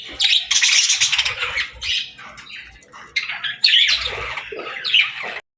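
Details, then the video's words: Pet parakeets playing and singing produce dense, continuous scratchy chattering and chirps that come in overlapping bursts, with brief dips between phrases and an abrupt stop at the end. "Parakeets Playing, Singing & Talking | Relaxing Chirping Sounds"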